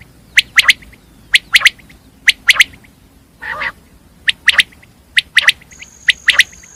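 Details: Common quail calling with sharp paired and tripled notes repeated roughly every second, broken by one grating low burst, with a steady high tone near the end.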